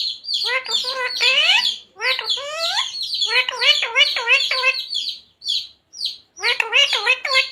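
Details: Parrot mimicking the words "Radhe Radhe" and "Sita Ram": rapid, continuous strings of speech-like syllables with rising inflections, broken by a few short gaps and high squeaks.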